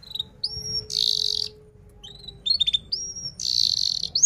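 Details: Canary song for teaching young canaries: short clear whistles alternate with dense buzzy bursts, quieter and more broken, with a faint steady low tone underneath.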